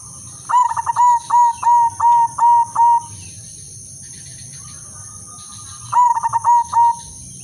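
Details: Female silver zebra dove, kept as a lure to bring other doves into breeding condition, gives a bright cooing phrase: a quick stutter then about seven evenly spaced clipped notes over two and a half seconds, repeated after a pause, over a steady hiss.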